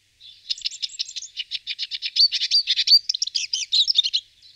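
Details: Rapid high-pitched twittering song of a Eurasian siskin, a dense run of quick chirps and short trills with occasional clear whistled notes, steady for about four seconds.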